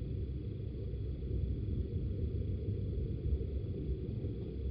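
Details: Only a continuous deep low rumble like distant vehicles or wind, with no animal voice.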